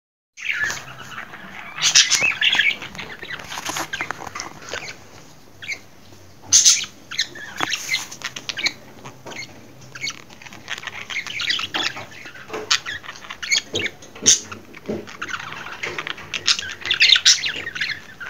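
A budgerigar chatters with rapid, scratchy warbles and sharp chirps in quick bursts.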